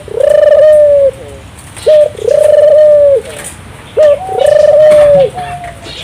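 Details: Turtle dove in vigorous song, meant to draw local doves into singing: three low rolling coos, each a long even note preceded by a short clipped one, roughly every two seconds, over quiet background.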